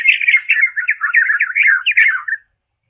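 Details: Slowed to half speed, a European robin delivers a continuous, rich warbling phrase of rapidly varying twittering notes for over two seconds, chaffinch also singing in the recording.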